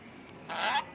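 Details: Pet parrot, described as short-tempered, gives a single harsh, raspy squawk lasting about a third of a second, with faint indoor background hiss before and after.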